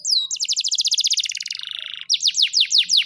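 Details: Canary singing a fast, high, clean trill of about twenty evenly spaced notes that slowly drops in pitch, then switches to loud, sharply falling whistled sweeps, with no other sounds.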